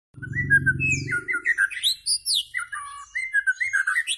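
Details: White-rumped shama singing a rich, varied song of clear whistled phrases, some high and some lower, given in quick bursts after a short low rumbling sound at the start.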